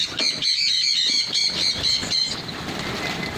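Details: Pin-tailed parrotfinch giving a quick series of high, sharp notes, roughly four each second for two seconds, then fading into steady background hiss.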